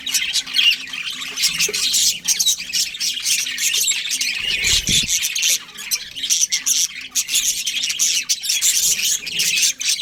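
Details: Budgerigars, a breeding pair, chattering in busy scratchy chirps and squawks; a faint low repeated tone runs underneath and a brief low thump sounds midway.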